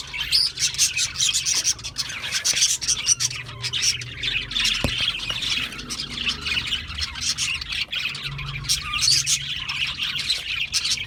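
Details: Flock of budgerigars squawking and chirping, a dense rasping twitter of rapid high notes sustained throughout, with a faint low hum underneath.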